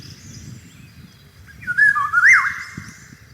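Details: Eurasian golden oriole song during cherry blossom season: one clear, fluty whistled phrase with a quick upward flip and a drop, set against a soft low rumble.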